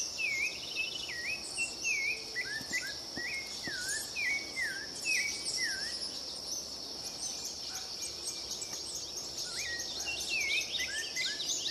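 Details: Song of a Rufous-bellied thrush, repeated swooping whistled notes in quick series, a pause, then another burst of varied phrases, with a continuous shrill insect chorus behind.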